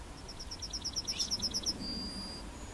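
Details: Yellowhammer at Plochocin in July 2013: a rapid string of about a dozen high, evenly spaced notes that quicken slightly, then a long, thin, drawn-out final note. Faint background hiss.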